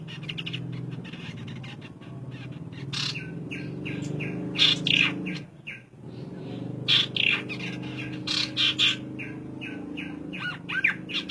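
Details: Male and female ciung air pair, naturally paired: short bright chirps in two clusters around the fifth and eighth seconds over a steady low hum.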